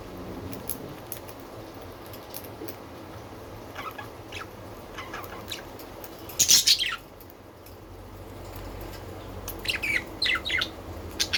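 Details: Pet budgerigars twittering with quick, high chirps through a steady low hum, broken by two loud bursts of rapid, harsh chattering.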